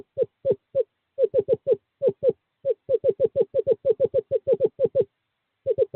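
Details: Male screech owl courting, calling a female to the owl box on 2/11/2023: fast, regular hollow hooting notes in short groups, merging into a steady run of about twenty, then a brief gap.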